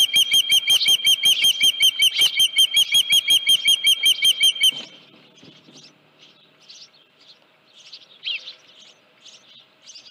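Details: Osprey at the Dunrovin Ranch nest, 31 July 2018, with a headless fish noted at 9:43 AM. Loud, high, sharp chirping notes repeat rapidly and evenly for about five seconds, then give way to softer, scattered chirps.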